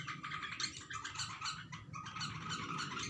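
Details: A bulbul looking at its own reflection in glass chatters in quick bursts of bright, scratchy notes, about three or four a second, over a low indoor hum.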